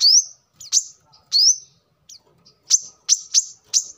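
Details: Brown-throated sunbird song for luring or tutoring birds: clear rising whistles alternate with single sharp high chips, separated by short silences.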